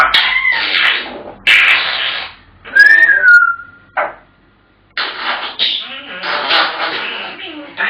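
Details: African grey parrots mixing dense, raspy speech-like chatter with a loud rising-then-falling whistle, a short gap of silence, then more busy mimicked babble.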